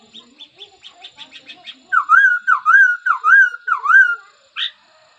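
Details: A laughingthrush sings a run of soft, quick chips, then breaks into five loud, rich, wavering whistled phrases, ending with one sharp high note.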